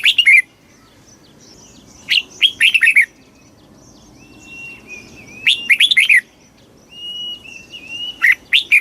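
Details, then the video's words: Fast 'kích bổi' singing by a red-whiskered bulbul: clipped clusters of lively slurred chirps recurring every few seconds, with a thin, steady whistle from another bird between phrases. "tiếng chim chào mào kích bổi cực nhanh"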